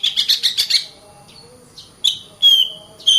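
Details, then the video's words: Oriental magpie-robin, or kacer, in 'gacor rapat' song: a quick buzzy stutter of six notes, a pause with soft faint notes, then sharp, loud, level whistles. "BURUNG KACER GACOR RAPAT"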